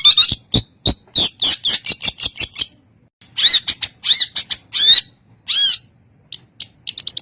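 A long-tailed shrike sings a loud, varied run of harsh chips and squeaky, rising whistles, delivered in rapid bursts with short pauses between phrases.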